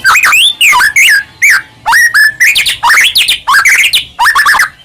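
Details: White-rumped shama in full song, used to provoke other shamas into singing: loud, rich, varied whistled phrases sliding up and down, delivered in quick succession with short breaks, some notes rising sharply, others falling.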